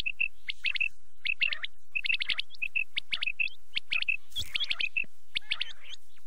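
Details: Quail calling for night use in quick bursts of sharp, liquid two- and three-note phrases, about one burst a second, with clicky overlapping notes and low background rumble.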